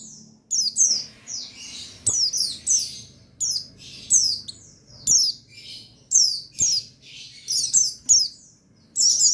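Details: Buxtoni white-eye, a male, singing in rapid, high-pitched twittering phrases of sharp down-slurred chirps, repeated irregularly about forty times a minute, with soft low knocks and clicks in the background.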